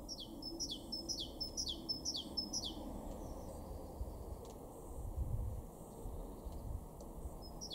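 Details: In a garden in Weener, East Frisia, northwest Germany, in April 2023, a Great Tit sings rapid high two-part 'tea-cher' phrases for about three seconds. Quieter background follows, with a low rumble and a faint later note.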